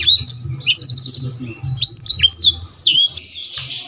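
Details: Blackthroat giving clear whistled slurs, a quick five-note trill, rising and falling sweeps, and a sustained high note, with low background noise.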